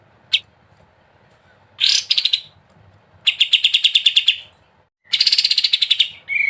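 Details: Short bursts of fast repeated notes separated by silences, from a sooty-headed bulbul (kapas tembak) in ngebren song.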